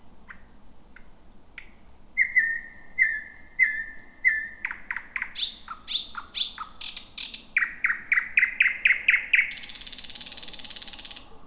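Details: Thrush nightingale at night among dense bushes near Roadyfield, first song of 2026 heard at 23:58: high slurred whistles, steady repeated notes, a fast series of loud clicking strokes, then a harsh rasping burst.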